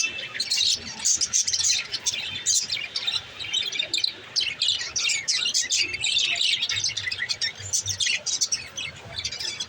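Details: Green lovebirds, said to be male, chirping: a constant stream of shrill, high, squeaky chirps and twitters, overlapping and unbroken, as from several birds together.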